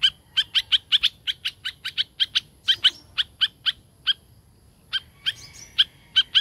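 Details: A tame laughingthrush ticks out a steady string of crisp, clicky notes several per second, pauses briefly, then resumes with a few buzzier, more tonal notes mixed in.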